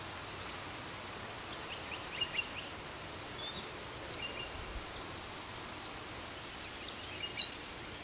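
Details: Splendid fairywren in Western Australia, seen snuggling; three brief, sharp, very high chirps spaced about three seconds apart over a quiet, steady background hiss.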